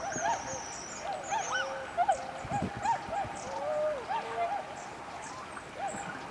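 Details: Dawn chorus of swans, 11 November 2010: several birds give soft, rising and falling bugling hoots in irregular succession, while small forest birds add faint high whistles.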